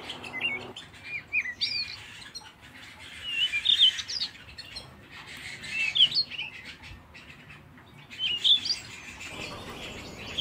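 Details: Canary song in bursts of bright, fast chirps and upward-sweeping whistles, separated by brief quieter gaps. A low hum is heard at the start and end.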